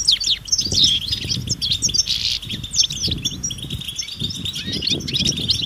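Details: Many European goldfinches calling in nature, mating and readiness twitters intended to make males sing; overlapping bright chirps, a brief buzzy note and quick trills, accompanied by low wind-like noise.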